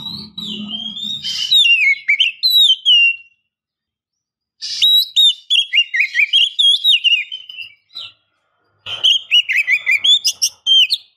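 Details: A female oriental magpie-robin calls the male, producing loud whistled phrases with many sharp up-and-down slurs and quick clicks, in three bursts separated by short silences, with a low hum at the start.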